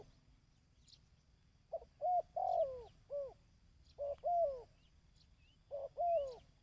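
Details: ['Dove cooing, used to stimulate decoy birds. After a quiet opening come three phrases of soft low coos. In each, one or two short notes lead into a longer down-sweeping coo, with faint chirps from other birds.']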